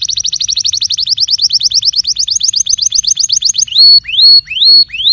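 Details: Canary song with a rapid, evenly repeated trill of short rising notes, breaking into slower, louder, drawn-out swooping whistles near the end.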